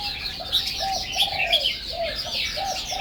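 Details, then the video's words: Busy high whistled song of a Chinese hwamei, varied and unbroken, with steady soft low cooing notes beneath and light background hiss. "Ban (Chang Wei) Bird singing"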